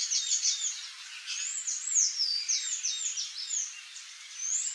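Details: Palm tanager (Thraupis palmarum) delivering quick, high-pitched squeaky twitters, each a short slurred note, tumbling in a rapid irregular series of about three per second against a light hiss.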